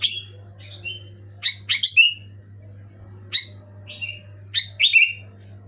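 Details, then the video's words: Sooty-headed bulbul song, loud and clear, meant to trigger a lazy pet bulbul to sing: lively chirping phrases of sliding, downward whistles in quick pairs, separated by brief gaps, with a persistent low hum and high steady tone. "Suara burung kutilang gacor keras jelas bikin kutilang omyokan macet malas bunyi auto bunyi gacor"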